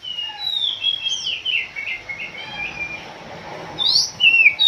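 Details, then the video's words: Oriental magpie-robin (kacer) during a pacingan face-off, giving a flowing run of slurred whistles and twittering notes, then sharper high notes near the end over faint background noise. "pacingan kacer bikin emosi"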